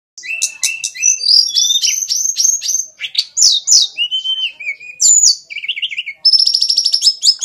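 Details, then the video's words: Songbird chattering song: a fast, varied run of high whistled notes, short trills and sweeping slurs with brief pauses, ending in a rapid stuttering series. "Ocehan burung"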